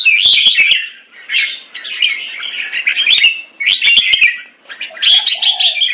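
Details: Captive red-whiskered bulbuls in Singapore sparring in a fast display: rapid bursts of bubbly chatter in several phrases separated by short pauses, with sharp clicks and a soft lower whistle near the end.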